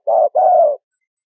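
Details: Spotted dove giving a short coo followed at once by a longer, even, gently falling coo, low and breathy, in a quiet background; used as a bird-trapping lure.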